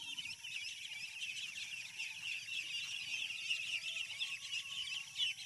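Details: Many young ducklings on a farm peep together, giving a steady wash of high, chirping notes that blend into a continuous chorus, with light background noise underneath.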